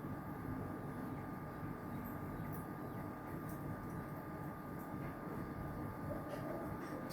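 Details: Continuous low roar like distant traffic or machinery, steady and even, with no bird or other animal call.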